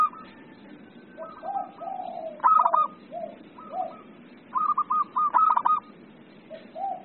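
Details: Several zebra doves sing back and forth: local bird's trilled, quavering coo phrases mix with lower rounded hoots from answering doves, the phrases spaced a few seconds apart.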